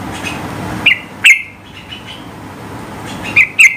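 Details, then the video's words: Sooty-headed bulbul giving a high-pitched song meant to provoke rivals into singing along: four short, sharp, bright whistled notes in two pairs, the first pair near the start and the second near the end, over a low background hiss. "Trucukan gacor tembakan tinggi gertak lawan agar ikut bunyi gacor ropel"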